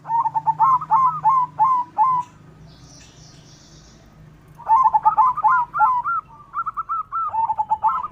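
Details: A white zebra dove sings steadily to stimulate other doves to sing and to raise their breeding urge: a short run of rapid hooked coos, a silent gap, then a longer flowing run of repeated cooing notes.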